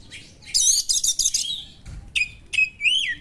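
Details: Oriental magpie-robin (kacer) song with sharp small-bird material, used to stir other kacer: a rapid buzzy high chatter of repeated notes, then clear whistled notes, one sweeping up and down.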